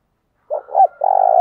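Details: Spotted dove decoy call used to lure wild doves: a short low coo followed by a rising two-note phrase and a long, steady, slightly rough drawn-out coo, loud and clean against silence.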